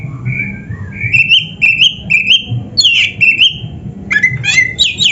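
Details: Oriental magpie-robin (kacer) song used as training material for caged birds: repeated clear whistled notes with upward hooks, a run of rich varied phrases, ending in bright squeaky jumbled notes.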